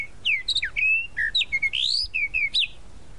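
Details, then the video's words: Tropical mockingbird (sabiá-da-praia) from Brazil delivering a dense, fast song of mixed whistles, sharp upslurs and downslurs, and a long rising buzzy phrase, notes tumbling almost continuously for three seconds. "A SABIÁ DA PRAIA Tropical Mockingbird"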